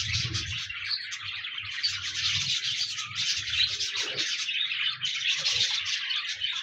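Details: Budgerigars kept as pets chattering together, aimed at getting a solitary budgie to sing: steady high twittering warble from several birds, over soft low thumping and handling noises.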